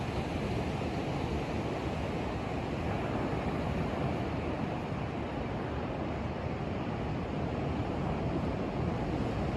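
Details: Steady roar of breaking waves and surf at sunrise on Daytona Beach, with wind buffeting the microphone throughout and no animal calls heard.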